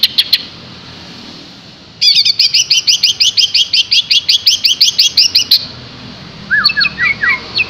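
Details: Green leafbird in energetic song, a long fast run of crisp high chip notes repeated about three times a second, followed after a pause by short descending whistles.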